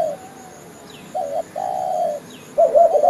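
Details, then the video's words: Spotted dove cooing played as a trapping lure: after a quiet start, three low, hollow coos, the middle one drawn out for about half a second, with a faint high whine behind. "suara pikat burung derkuku"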